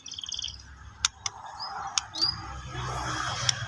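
A young white-rumped shama gives a buzzy, tremulous call, then sharp ticks and quick upslurred chirps, over a low background hum.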